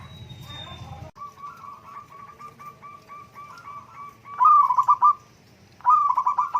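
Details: Zebra dove song used as therapy to rouse a sulky bird that is reluctant to sing: brief low rumbling noise, then a run of soft even coos, followed by two loud, rapid, rolling coo bursts near the end.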